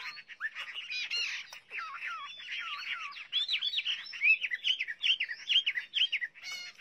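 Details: Chinese hwamei singing a rich, varied run of whistled phrases, slurred notes giving way to fast, rhythmic repeated upsweeps and downslurs in the second half.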